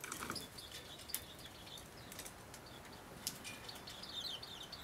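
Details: Four Japanese white-eyes feeding and squabbling together on 15 February 2013, just after snow stopped, give thin, high chirps and short twittering notes in quick, irregular bursts, with a soft background hiss.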